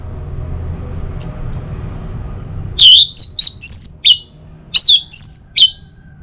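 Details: Orange-headed thrush song for stimulating other birds to sing in the morning; after a quiet start comes a loud series of looping, slurred whistles in two short bursts.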